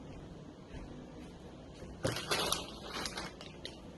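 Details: Crunching and clattering from a baby blue jay eating crackers indoors, with short bursts of crackling after two seconds and no calls.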